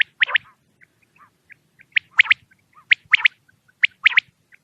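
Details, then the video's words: White-feathered quail calling at night: sharp whistled notes in quick pairs and triplets, repeated roughly every second, with faint softer chirps between phrases and a low rumble beneath. "Latest quail sound for night | white paron wala batair"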